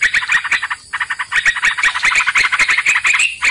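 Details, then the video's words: Sooty-headed bulbul, a lure recording for catching birds: fast, scratchy chattering bursts, a brief gap near the one-second mark, then dense harsh chatter ending in a slightly rising note. "Pikat trucukan"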